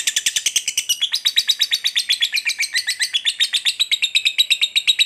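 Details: Lovebird, a fighter type, giving a long ngekek trill used to provoke another lovebird: a fast, steady chatter of sharp, high, buzzy notes, about three per second, that runs unbroken for over five seconds.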